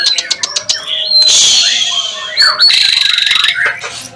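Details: White-rumped shama singing on seeing another bird: loud burst of sharp clicks and harsh squawks, then long bright whistled notes and a rapid buzzy trill, all close and intense.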